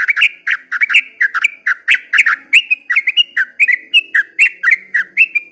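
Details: Sooty-headed bulbul singing a long song at dawn: rapid run of bright whistled notes, each swooping up and down, repeated several times a second without pause.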